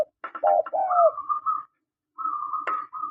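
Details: Spotted dove calls of a male and female: a few husky coos followed by higher, level whistled tones held for about a second, then repeated after a short pause with a click.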